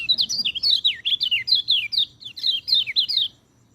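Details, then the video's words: Fast, bright warbling of a white-eye, intended for tutoring birds that are reluctant to sing: over three seconds of quick, high, downslurred chirps strung in a steady chatter, then silence. "MASTERAN BURUNG PELECI, cocok untuk burung peleci malas bunyi"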